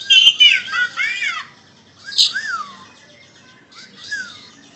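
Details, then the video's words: Song of an Indonesian Asian pied starling: a loud chattering burst of mixed whistles, then softer descending slurred whistles repeated at intervals of about two seconds, fading toward the end. "Burung Jalak Suren Indonesia"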